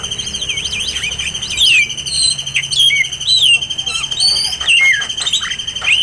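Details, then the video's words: Oriental magpie-robin song, recorded for training other birds: varied loud whistles with sharp downward and upward sweeps and looping phrases, delivered in bursts, over a steady high electronic-like tone. "MASTERAN BURUNG KACER"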